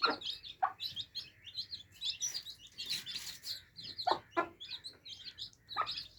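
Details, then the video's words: Young chicks at water, chirping in a continuous shrill chorus of short downslurred peeps, with occasional hard pecking clicks and a louder burst of noise around the middle. "Adorable Baby Chicks Quenching Thirst Chicks Sound Effects For Kids"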